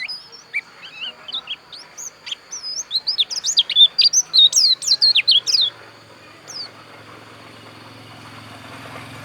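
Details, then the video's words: Pleci dakun white-eye, Pupuan, Bali, singing a rapid, loud twittering run of high whistled and warbled notes that builds into a dense burst near the middle, then stops, leaving near silence and a low hum. "Suara Pleci Dakun Bali Pupuan"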